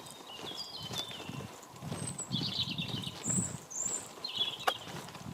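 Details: Common blackbirds singing in the dark at 6:45 before sunrise in Midhurst, West Sussex, heard while walking to work: thin, clear whistled phrases of a few notes, spaced apart, over steady footsteps and a faint background hum.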